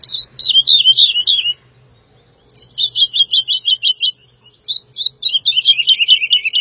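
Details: Song of the woodlark, Lullula arborea: descending rolled phrase, a pause, then a quick train of fluty repeated notes and another falling cascade of sweet whistles, with faint low background noise.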